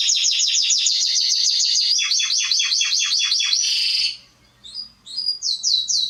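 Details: Canary singing as a training recording for young birds, rapid repeated chirping rolls about two per second, then a brief quiet gap with faint low hum before short whistled notes resume.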